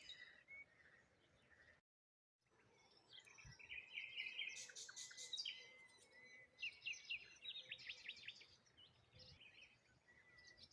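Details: Several birds chirping in the morning beside water near a lone tree and rose hips, a thin steady whistle early on, then loud bursts of rapid buzzy trills and high twittering after a brief dropout.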